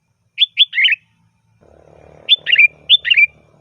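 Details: Sooty-headed bulbul singing loud varied phrases meant to call in bulbuls: quick runs of clipped whistled notes ending in a warbled flourish, two runs, with a faint low murmur in the second half.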